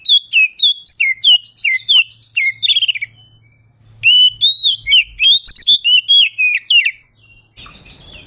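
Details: Oriental magpie-robin, 'ngeplong' style song used to provoke rival birds: over eight seconds of dense, loud whistled phrases with rapid repeated downslurs and chips, a brief lull midway, ending in hissing noise.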